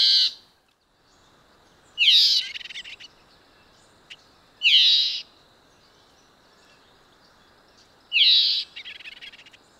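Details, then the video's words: Red-eyed vireo (Vireo olivaceus) singing; short burry phrases repeated about every two to three seconds, each a quick slurred note group, with quiet pauses between and faint background hiss. "Singing Red-eyed vireo"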